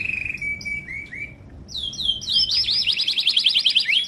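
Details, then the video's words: Timbrado canary training song: a steady whistled tone and short dropping notes, then a higher rapid rattling trill of repeated syllables, with soft background hiss. "TIMBRADO CANARIES - CANARY SINGING MOST SPECTACULAR VIDEO TRAINING SONG"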